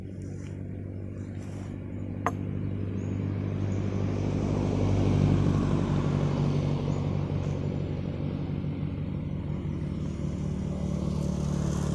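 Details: A steady low engine rumble from a passing vehicle fills the recording, with a single sharp click near two seconds and no animal calls.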